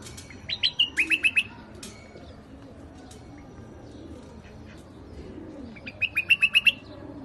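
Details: White-eared bulbul singing in rooftop gardens in Iraq: a quick run of five or six clear, evenly spaced whistled notes, a pause of several seconds with faint chips, then a matching repeated run near the end.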